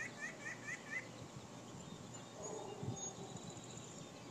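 White-breasted Nuthatch giving a quick run of four or five nasal, harmonic 'yank' notes in about a second, then fading into room noise.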